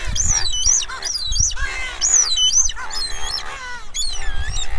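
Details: Streaked shearwater calling and singing. High, arched whistled notes come in clustered phrases of two or three, some bending down or rising, repeated roughly every second. A low rumble of wind or handling runs underneath.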